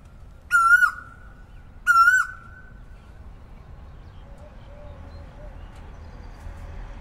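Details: Asian koel in the morning: two loud, pure ringing calls a little over a second apart, each briefly level then sliding down, followed by near quiet with soft low cooing.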